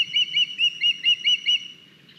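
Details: Estonian osprey, 9 August 2021, one of the young bringing a large fish to the nest; seven loud, clear, high whistled chirps in quick even succession, about four per second, then silence.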